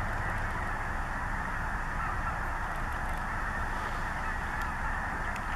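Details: Snow geese at Sloughs WMA, Sauerheber Unit, Henderson County, Kentucky, on December 3, 2017: a large flock's dense, unbroken chorus of overlapping nasal honks merges into a steady roar throughout.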